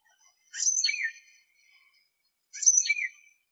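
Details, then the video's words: Tufted titmouse call: two harsh, high, scratchy notes about two seconds apart, each sweeping down at its end. "Bird Songs of Tufted Titmouse"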